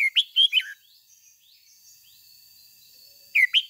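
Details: Energetic 'ché' song from a red-whiskered bulbul decoy meant to stimulate other bulbuls: a burst of bright, slurred whistles opens, then silence broken by a faint steady whine, then another quick whistled phrase.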